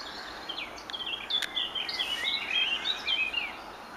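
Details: Wild birds singing at sunset over a vineyard in the evening: a lively run of high, quick chirps and short twittering trills, densely repeated with bright rising and falling notes over a soft steady background hiss.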